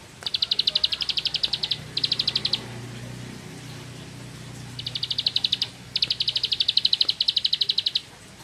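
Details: Ngebren-style song of a bar-winged prinia (ciblek sawah): repeated bursts of rapid, sharp high notes in a fast machine-gun rhythm, with brief pauses between phrases and a soft low hum behind.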